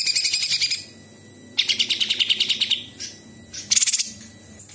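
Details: A Grey-cheeked Bulbul, said to sing with mimicked notes of small birds and insects, gives three bursts of rapid, high, sharp chattering notes. Each burst lasts about a second, separated by short pauses.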